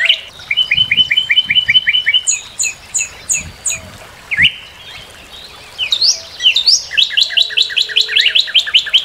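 A Northern Cardinal sings quick runs of clear, slurred whistles, about eight to a phrase, shifting from steady notes to higher rising ones. A few soft thumps sound underneath.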